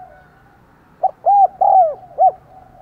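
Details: Decoy spotted dove giving its luring coo for wild doves, one clear phrase: short lead-in, two sustained arching coos, and a short final note over a quiet hum.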